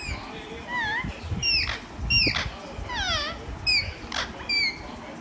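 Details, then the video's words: Green parrot calling in a loose series of slurred whistles that sweep downward, with sharper clipped notes between them, over a noisy background. "Relaxing green parrot with natural sounds"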